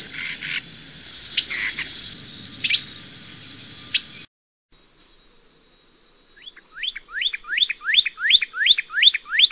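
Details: Northern Cardinal nestling in the nest gives sharp, rising chirps, about three a second, in a steady run, after a few clicks and rustles over faint background noise, while the father cleans up droppings and coaxes the young to leave the nest.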